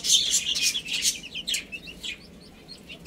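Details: Baby chicks at play and feeding let out a loud burst of rapid, shrill peeps with clicking taps, then fade to scattered soft chirps over a low hiss.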